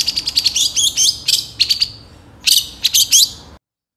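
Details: Long-tailed shrike (cendet trotol) song used as a training recording to prompt other birds to sing: rapid high chirps, trills and whistled phrases in bursts, a pause near two seconds, then a dense final burst.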